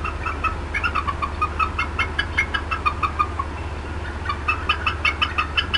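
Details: Female bald eagle at the Decorah North nest, 18 April 2016, clucking persistently while disturbed. Continuous rapid series of clipped, harmonic chattering notes, several per second, with a slight lull before a renewed burst, above a low steady drone.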